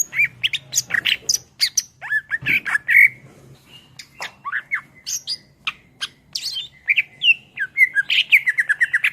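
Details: Greater green leafbird singing energetically, recorded as tutor material for songbirds: a fast, varied stream of sharp chips, squeaky slurs and buzzy notes with whistled phrases mixed in, almost without pause.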